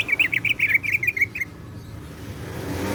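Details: Caged greater green leafbird (cucak ijo) in a 'gacor' song with 'isian siklon' fill. A quick, even trill of about eight bright warbled notes lasts a second and a half, then falls silent over low background hum.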